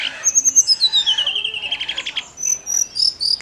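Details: Snowy-browed flycatcher in lively full song, used to stimulate other songbirds such as magpie-robins and white-rumped shamas: high thin whistled notes, a fast descending trill of rapid chips sliding downward, then sharp high repeated notes, with faint background noise.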